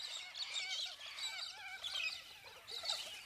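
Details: A flock of wild galahs in Australia, extroverted seed-eaters that have spread almost everywhere, give harsh, high, screechy calls, several birds overlapping in bursts about once a second, over steady chattering flock noise.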